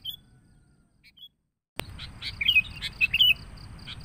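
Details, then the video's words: Noisy sooty-headed bulbul lure sound for attracting bulbuls: a few faint high notes, then an abrupt cut into a lively run of sharp chirps and quick slurred whistles, with some notes overlapping. "Suara Pikat Burung KUTILANG RIBUT"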